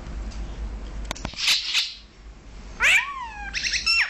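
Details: A male and female Brahminy starling pair in Kuwait give sharp clicks and a brief rasp, then a nasal slurred note and a quick burst of high, squeaky whistles; Brahminy starling.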